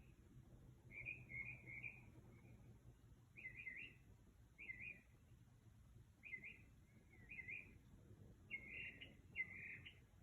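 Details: Night song of a bird outside a house near 2 am, a series of short warbled chirpy phrases repeated about every second, fairly loud above a faint low rumble.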